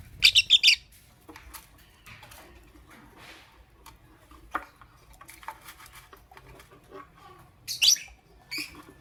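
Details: Pet lovebirds chirping in the morning: a rapid burst of shrill, high squeaky notes at the start, scattered soft clicks and rustles in between, then another sharp chattering burst near the end.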